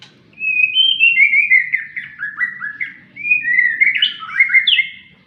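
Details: Caged white-rumped shama, out for sunning, singing two lively phrases of rapid whistled notes with downward slurs, separated by a short pause, the second rising to sharper high notes.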